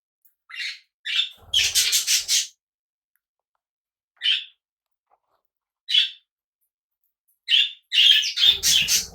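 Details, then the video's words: Pet cockatiels kept together with budgies give short, bright chirps in scattered single notes and quick clusters, with pauses of a second or more between bursts and a few soft thuds. "Life of Cockatiels and budgies"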